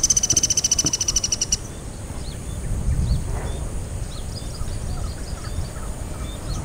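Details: A Sunda pygmy woodpecker at Kranji Marsh, calling and drumming on a dead tree, gives one quick, high, buzzy trill of about fifteen notes lasting under two seconds; faint calls of other birds and a low rumble follow.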